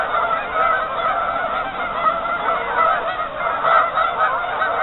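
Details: Crowded geese on a half-frozen lake give a constant chorus of nasal honking, individual calls rising briefly above the mass.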